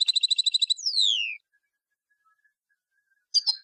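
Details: Tunisian goldfinch delivering an old tarqa-style song: a fast, evenly spaced series of about ten clipped high notes runs straight into a long, smooth downward-gliding whistle, followed after a pause by a short double chirp.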